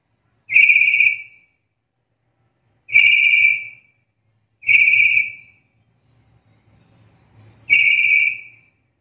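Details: Black-capped lory giving a call said to be rare among other lories and well suited as training audio for songbirds: four loud, level, clear whistles, each under a second, spaced about two to three seconds apart, with faint low hum between.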